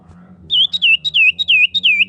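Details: A female common iora calls the male with loud, clear whistled notes, about six down-slurred swoops in quick succession, each dipping and rising again, against a faint low hum; used as a bird lure.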